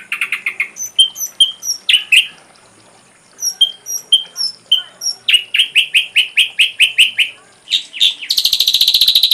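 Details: Full-repertoire ashy drongo tutor recording for songbirds, a varied medley: a low fast trill, spaced high pure whistles, a rapid run of repeated chirps, then a harsh buzzy high rattle at the end.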